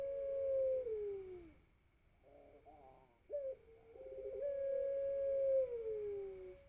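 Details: A juvenile Pelung dove, four to five months old and still unstable in its voice, learning to call: a drawn-out hoot sliding down, a pause, soft broken rising notes, then a long flat mellow coo, phone recording.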